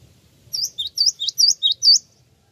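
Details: Java sparrow lure call that draws replies: a rapid, even run of about seven bright high chirps, each a short upward-bending note, in a quiet background.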